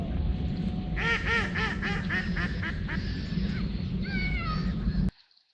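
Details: White ducks on a river in Nottingham in the rain, splashing and flapping their wings, give a quick run of about a dozen nasal quacks, then a few more drawn-out quacks, over a steady rushing wash of rain and river water.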